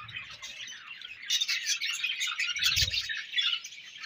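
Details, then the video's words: Budgerigar chirps and squawky warbles that start softly, then swell into a louder, dense run of scratchy high notes, with a brief low thud in the middle. "Budgie Sounds For Lonely Budgies"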